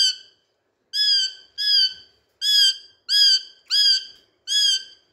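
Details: Indian talking parrot, a green rose-ringed parakeet, playing with a mirror and speaking in Urdu/Hindi: seven harsh, harmonic, slightly down-curved syllables in uneven bursts roughly every half second to one second, with silence between.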